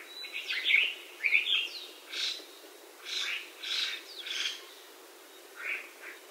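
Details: A Chinese hwamei (Garrulax canorus), an introduced bird in Hawaii, sings a few bright whistled notes, then loud, slightly rough phrases repeated as couplets and triplets about every half-second to second, with pauses between them.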